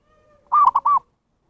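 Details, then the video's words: Zebra dove call used to attract wild birds: a faint steady tone, then one phrase of an arched coo, a short note and another arched coo. "SUARA PIKAT PERKUTUT นกพิราบชวา Chim Cu Vằn | memanggil burung liar"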